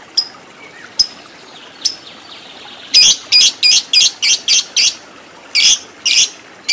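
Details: Lovebird in a tutor recording for fighter birds and long ngekek; a few thin chirps open, then a run of harsh, shrill squawks repeated several times a second, pausing briefly before two more.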